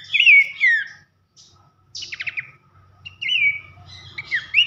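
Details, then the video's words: Pelanduk semak, or Horsfield's babbler, delivering its loud 'nembak nyiul' whistling used as masteran for training songbirds: two swooping whistles, a silence, a quick stuttered run of notes, then drawn-out level and rising whistles. "masteran nembak nyiul keras khas pelanduk semak"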